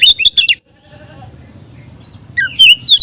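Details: Oriental magpie-robin song used to lure others of its kind: a quick burst of shrill notes, a quiet gap with low rumbling hum, then renewed clear whistled slurs.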